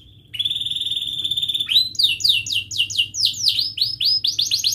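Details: Canary chirping and rolling, played to help young canaries learn: a short note, a steady high trill, a sharp rising sweep, then a series of loud down-slurred notes repeated about four per second.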